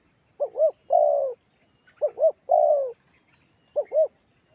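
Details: Spotted dove from Kalimantan giving a lure call to make other doves answer: steady phrases of two quick arched coos then one long descending coo, repeated about every 1.7 seconds over a quiet background.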